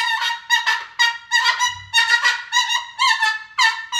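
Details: Cockatoo giving harsh, raucous alarm screeches on a playground tower, about seven loud rasping bursts in four seconds, each rich in harmonics and rising sharply before fading, with a brief low thump between calls.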